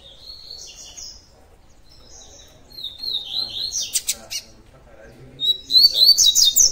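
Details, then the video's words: Double-collared seedeater (Sporophila caerulescens), 'coleiro tui tui' song: high, sweet whistled phrases, then a bright rapid run of ringing 'tui-tui' notes, over a faint background murmur. "COLEIRO TUI TUI"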